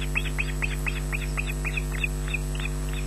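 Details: Smallest osprey chick, number three, at the Loch Garten nest on 14 June 2012 at 18:40, emerging from under its mother and shrieking for food she lacks. Rapid series of about eleven high, arched shrieks in three seconds over steady electrical hum.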